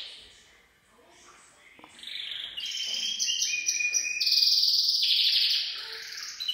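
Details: A Gloster canary sings its full song, rich and continuous, of high trills and rolling tours, with bright whistled notes and fast buzzy rolls in quick succession.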